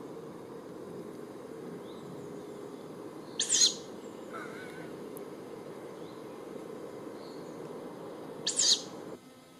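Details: Young tawny owl producing two brief, harsh hissing screeches roughly five seconds apart, with faint thin chirps in between and a constant low hum underneath.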